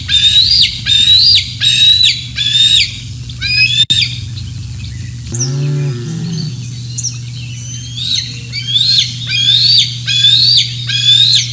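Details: Repeated bald eagle squeals at Decorah North, morning of 27 June 2024, around fish deliveries: quick rising-then-falling whistled screams in bursts, interrupted midway by a low lowing sound, then resuming steadily, over a constant low hum.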